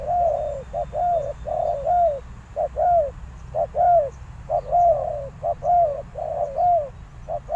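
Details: Spotted dove calling as a lure for wild doves: clear, evenly spaced series of soft hooted coos, short notes alternating with longer arched ones, roughly one per second, with quiet low background noise.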